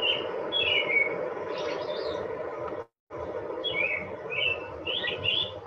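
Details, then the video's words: Software-isolated clip from a longer field recording of an American robin caroling short whistled phrases that rise and fall in pitch at a steady rhythm, with a brief pause midway, over a steady low hum. "so the american robin as you can hear from that recording and see on the visual sound graph on the screen here the robin's call rises and falls in pitch"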